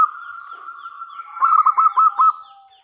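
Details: Local zebra dove singing with a big voice, meant to call other doves into answering; a long, even, sustained note swells into a string of loud, chopped, stuttering coos before fading.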